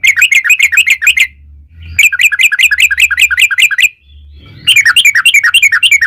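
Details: Long rolling 'ropel panjang' song of a yellow-vented bulbul, played as a lure for other bulbuls: dense bubbling strings of quick chirping notes in three extended runs, over a steady low hum.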